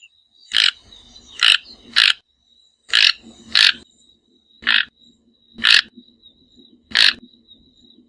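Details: Toco Toucan of the subspecies albogularis in the Brazilian Cerrado: harsh, rasping croaks repeated roughly once a second, some in quick pairs, with a thin steady high tone underneath.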